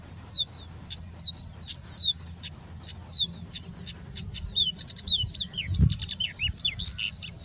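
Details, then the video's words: Singing bushlark in India mimicking other birds: evenly spaced high ticks alternating with short downslurred whistles, building to a busier jumble of slurred notes at the end; a soft low thump midway. "Singing Bushlark singing and mimicking for more than three minutes straight"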